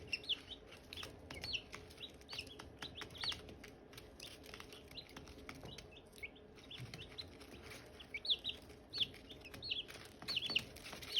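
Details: Silkie chicken chicks with hatching eggs: a long stretch of high, sharp chirps and downslurred peeps in irregular clusters, busier near the end, with occasional clicks and rustles.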